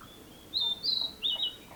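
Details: Narcissus flycatcher in 2017 giving a brief song fragment: two or three bright whistled notes in under a second, over a faint steady tone and light background noise.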